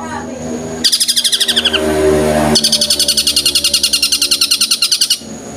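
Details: Long-tailed shrike singing fluently in the tengkek buto burst style: two long runs of very rapid, high, sharply pulsed notes, the first fading downward. A low steady hum and faint voices sit beneath.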